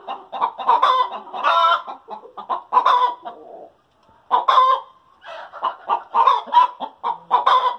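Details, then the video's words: Hens cackling after laying eggs: loud repeated clucks in bursts, then a brief silence, followed by more clucking building into drawn-out, rising cackle notes. "Chickens Sound After Laying Eggs"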